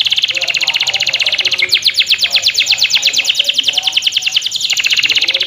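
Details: Young local canary sunned in the morning, singing a loud, fast chattering trill of rapid repeated high notes, shifting into a rising sweep series midway, about four notes per second, with faint background noise.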